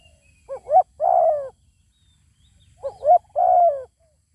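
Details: Zebra dove in Thailand facing a good-voiced wild bird that refuses to come down and fight: two matching phrases about two seconds apart, each a short rising note, a sharper note, then a drawn-out mellow coo.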